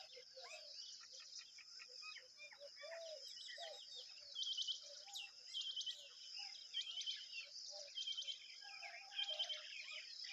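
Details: Tailorbird chicks begging while fed a big worm. Mixed bird calls come first, then bursts of quick, high, clicking chirps recur about every second over a constant shrill insect-like drone.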